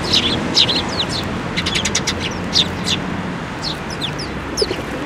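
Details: Eurasian tree sparrows, including the year's first fledgling, gather for food at a Tenmangū shrine, 7 May 2024. Dense, overlapping high chirps and short twitters come in quick bursts, with a low background rumble.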